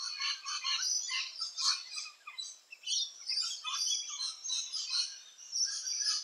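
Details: Around nest holes in Australia, rainbow lorikeets keep up dense, continuous harsh chattering and shrill screeches that overlap with barely a pause.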